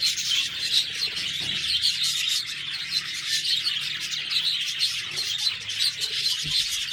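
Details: Budgies chattering nonstop, a busy mix of high squeaky chirps, trills and warbled notes overlapping steadily throughout, with a soft low hum and a brief knock in the background.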